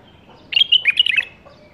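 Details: Single rich, fluty phrase from a caged bulbul bred in the 2018 season: a fast string of liquid notes sliding up and down, ending abruptly.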